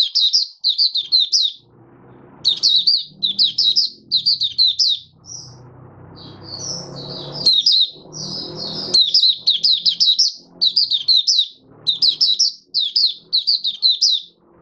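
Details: Kept oriental white-eye, Mata Puteh Raja form, in open singing on day five after its monthly deworming, January 2022: long run of sharp high chirping phrases, each a burst of three or four twisting notes, separated by short pauses, soft background rumble.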